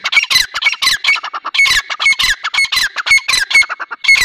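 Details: Grey francolin, known locally as Dakhni teetar: loud, harsh squawking notes in rapid bursts, roughly two per second, each with a bright ringing tone, repeated steadily throughout.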